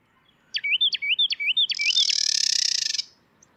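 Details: A Carolina wren pair duets during counter-singing with neighbouring males. The male rolls out four quick, loud, ringing whistled phrases while the female's harsh, buzzy chatter call breaks in and runs over the last phrase. Her chatter is an inborn call, not a learned song.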